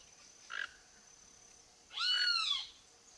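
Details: Free-living toco toucan that came to a backyard for food gives one short, sharp note, then a single hoarse, downward-arching croak lasting under a second.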